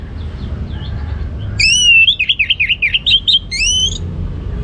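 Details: Captive orange-headed thrush in North Bali sings a strong ngeplong phrase: after faint notes, a bright run of rapid up-and-down whistled loops, clear and ringing, capped by a rising slurred whistle, with low background rumble.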